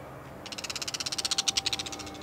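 A Bull-headed Shrike gives a rapid, high, scratchy chatter of about twenty clipped notes, swelling in loudness and then fading over under two seconds.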